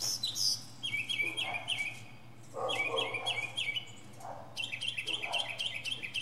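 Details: Northern mockingbird on a pine treetop mixes a high squeal, rows of rapid repeated chirps and lower rasping notes, varying the phrase every second or two.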